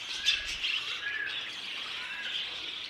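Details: Violet mutation budgerigar, presented as a new colour mutation. A continuous chirpy warble with scratchy, twittering notes runs throughout, a little louder near the start, then softer steady chatter.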